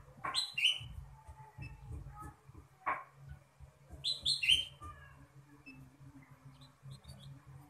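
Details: Ruby-throated bulbul in lively song with fill-in phrases: two clusters of sharp rising whistled notes about four seconds apart, set against steady low rumbling background noise.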